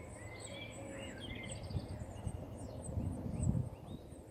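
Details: Cheeping from great tits nesting in an allotment nest box: quick, high, thin chirps in loose runs, heard over a constant low rumble with a few soft thumps.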